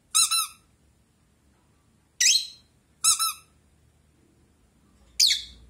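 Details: Blue rosy-faced lovebird kept as a pet, replying to a toy duck with four sharp, high, ringing chirps, some doubled, separated by pauses of about a second in a quiet room.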